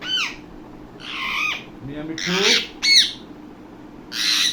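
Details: Talking Indian ringneck parakeet: loud harsh squawks with arched harmonic notes, broken by a low, rough, voice-like phrase, with a final noisy screech.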